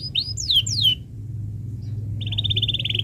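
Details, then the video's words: Canary singing in a tutor recording for young birds: a few loud, quickly falling whistled sweeps, a near-silent gap, then a steady rapid trill of repeated notes, over a low background hum. "Suara Burung Kenari ● Masteran Kenari Paud Belajar Bunyi | Kenari Gacor Cuit Cuit Panjang"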